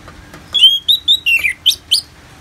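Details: Orange-headed thrush song for therapy with rain: a clear level whistle followed by short whistles and downslurred and rising notes, loud and bright, in about two seconds over faint hiss.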